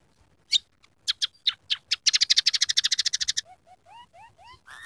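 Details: Energetic scaly-breasted munia whose song carries canary, sparrow and red siskin imitations: scattered sharp chips build into a rapid ringing trill, then softer upslurred whistles and a rough final burst.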